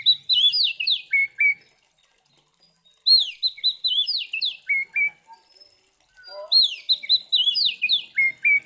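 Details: An Oriental magpie-robin sings a fighting song used to provoke other magpie-robins: loud phrases of clear, sweeping whistles and slurred notes, each burst about two seconds long and repeated every three seconds.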